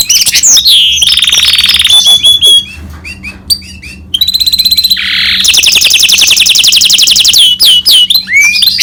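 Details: Hybrid of goldfinch and canary in full song: a sustained buzzy trill, scattered sharp notes, then a long fast rolling trill of repeated high pulses ending in rising whistles.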